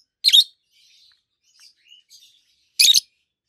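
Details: Pair of adult peach-faced lovebirds, green birds with red and yellowish white faces, kept in captivity: two loud, harsh, high chirps stand apart, with faint soft twitters in between.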